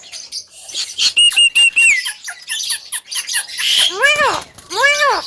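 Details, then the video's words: Javan myna singing: a row of level whistles sliding downward, then scratchy clicks and chatter, ending with two loud, arched, nasal wailing notes. "BURUNG JALAK KEBO TERGACOR SLALU MEMIKAT PERHATIAN"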